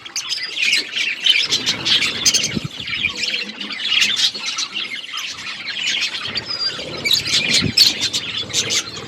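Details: Eating budgies keep up an unbroken, busy warble of scratchy squawks and high chirps, several birds calling over one another.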